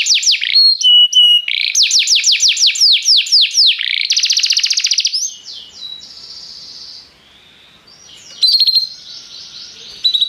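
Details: Restless canary singing in high, bright phrases: fast repeated trills, buzzy rolling runs and drawn-out whistled notes, a brief softer pause, then another burst of rapid trills.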